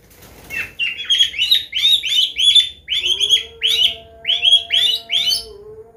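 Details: Medan white-rumped shama singing a combination song used as a lure to teach young learners. A series of about a dozen sharp, high, bright notes repeated in quick succession over a faint constant hum.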